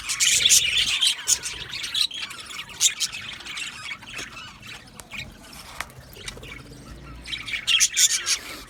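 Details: Budgerigars in an aviary, bursts of harsh squawks and chirps from a group, quieter scattered calls between louder spells.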